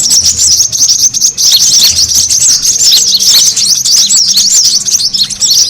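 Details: Brown-throated sunbird calling busily as a lure to attract birds; shrill, looping twitters and tiny squeaks run together in a steady, crowded chatter.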